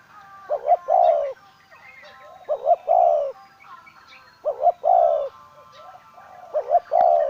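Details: Decoy spotted dove calling in phrases of two quick rising coos and a longer third note, repeated about every two seconds, with scattered twitters of other small birds behind.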